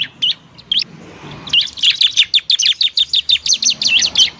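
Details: Semi-tamed bar-winged prinia singing to encourage reluctant birds. A few separate whistled notes open, then a fast run of about three notes per second, high and swooping, continuing to the end.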